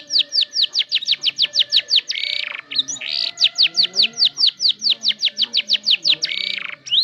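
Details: Canary song used as a lure for young canaries learning to sing: rapid runs of bright, steeply falling chirps, about four per second, broken by buzzy rolled trills; faint low hum behind.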